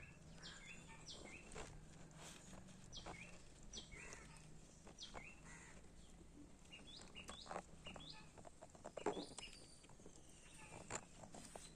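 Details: A red-whiskered bulbul on 17 March 2025 gives short, bright, whistled notes, roughly one each second, over a low rural hum.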